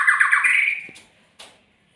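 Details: A single magpie-robin phrase: a fast, rattling, warbled trill fading out, followed by a brief sharp click.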